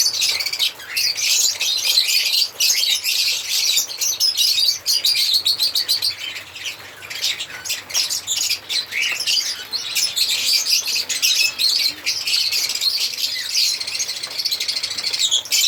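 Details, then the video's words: Several African lovebirds chirping and singing together, a continuous shrill high chatter of rapid squeaks and twitters that surges and eases over about fifteen seconds. "African Lovebirds singing and chirping sound"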